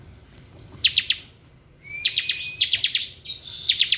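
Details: Bar-winged prinia, ngebren song style: three short rapid bursts of high, clipped, descending chirps, three to five notes each, separated by brief pauses, with a thin rising whistle leading into the second burst.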